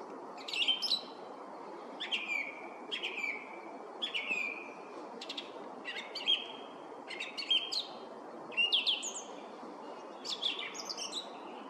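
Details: Song thrush singing on top of a spruce, giving a string of about a dozen loud, sharp phrases, each a quick chirpy flourish ending in a whistled note, spaced roughly one second apart over faint steady background noise.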